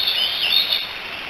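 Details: Three bald eaglets in their nest on the Decorah eagle cam, 16 July 2018, chattering as they probably call for their mother: a run of high, thin whistled chirps that slide up and down, over a steady hiss of background noise.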